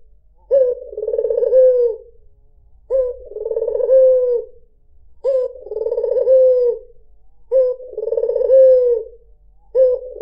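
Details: White dove used as a lure for other birds, giving a melodious cooing song: a short rising note then a long, rolling, trilled coo that slides lower at the end, repeated about every two and a half seconds, four phrases.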